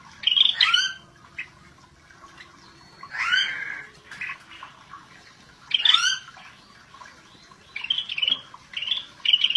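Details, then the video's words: A Scaly-breasted bulbul (Pycnonotus squamatus) sings gacor: loud, harsh chattering phrases in four bursts a few seconds apart, over a faint steady hum. "Cucak Bersisik GACOR"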